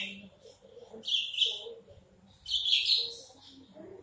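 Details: Horsfield's bush lark, a big-bodied bird, sings short bursts of bright, scratchy twittering phrases high in pitch, separated by pauses, with low murmuring voices underneath.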